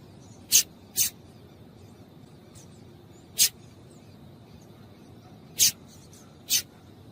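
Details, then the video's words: Female double-collared seedeater calls, used to stir a cold male into singing: five sharp, high, very short chips at uneven gaps of one to three seconds, with a faint steady high hum and low background rumble. "Piado de Fêmea de Coleiro para Esquentar Coleiro frio"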